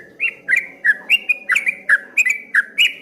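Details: Rapid rolling song of a streak-eared bulbul, called ropel ngombak banyu: loud bubbling whistled notes, each with a sharp click, repeated about three per second without a break.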